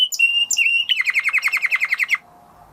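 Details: A Spanish Timbrado canary gives a couple of clear whistled notes, then a quick run of about a dozen downward-slurred pulses in just over a second before falling silent.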